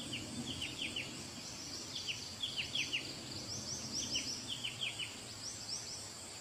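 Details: Wild grey-cheeked bulbul giving quick bursts of short, high, downslurred chirps, two to four notes at a time, repeated throughout over a steady high hiss of insects.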